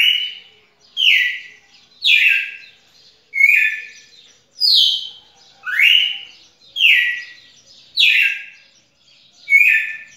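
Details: Steady song of a red-cowled cardinal: about nine clear whistled phrases, some dropping and some swooping upward, following each other at roughly one-second intervals in a quiet setting.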